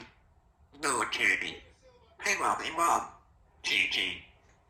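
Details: A 3-year-old female Congo African grey parrot, a pet living in a country home, chatters in mimicked human speech: three word-like phrases with strong voiced harmonics, separated by short quiet pauses, indoors.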